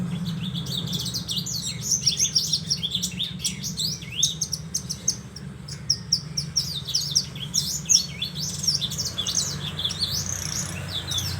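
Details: Song of a Horsfield's bush lark, a long run of quick high twittering notes and short sweeps that keeps going without pause, over a constant low hum.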